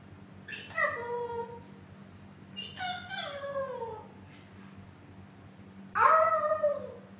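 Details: A talking female African grey parrot, about two years old, gives three drawn-out, voice-like utterances that slide downward in pitch, the last loudest, over a low steady hum.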